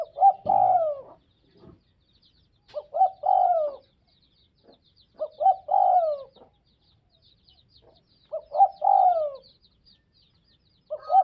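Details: Repeated cooing from a spotted dove in northwest Vietnam, with about five phrases in eleven seconds. Each phrase is two short notes followed by a rolling, falling coo, with brief soft sounds between the phrases.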